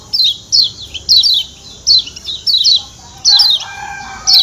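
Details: Kecial kuning, a Lombok white-eye, calling 'ciak ciak': high, thin, falling chirps, mostly in doubled notes, repeated at an uneven pace of about one per second. A few lower steady tones enter near the end.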